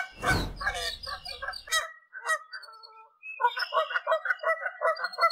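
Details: Wild Canada geese calling in flight over Canada: a loud low thump and broadband noise open, then scattered honks, and after a pause a regular run of clipped honks about three per second.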